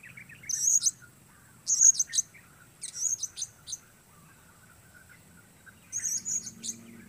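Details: Blue-crowned hanging parrot calling outdoors: loud, thin, very high chittering bursts, three close together then a pause of two seconds before a final burst.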